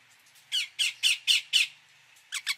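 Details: Indian ringneck parakeet giving five slow, harsh squawks spaced about a quarter second apart, followed by a quicker burst of three sharper screeches at the end.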